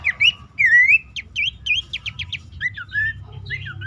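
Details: Lure calls of Abbott's babbler for caged birds that are stressed or will not sing. Long rising whistles, then a quick string of sharp dropping notes and softer slurred calls. Steady low hum.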